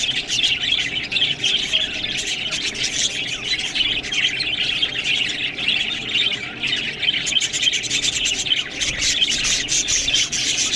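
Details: Budgies feeding on green food keep up a dense, continuous twittering chatter of high warbled chirps, overlapping voices, with sharp clicks throughout.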